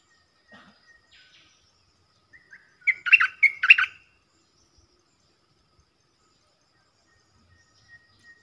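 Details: Bulbul song during southern Thai counter-singing with a caged lure bird: two loud, harsh, bursting phrases in quick succession after a few faint soft notes, then quiet with occasional distant chirps.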